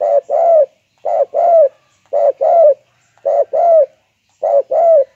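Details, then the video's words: Spotted dove, known locally as tekukur, in an energetic calling bout: paired coos, a short note followed by a longer falling one, repeated about once a second five times, on a quiet background. "SIPITAK SUPER GACOR TEKUKUR BANGGO/Selendang jati"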